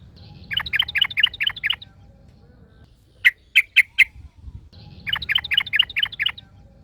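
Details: In the wild, a yellow-vented bulbul is answered by another: a rhythmic string of six or seven bright, bubbly notes, a pause, four sharp, clipped notes, then the rhythmic string again.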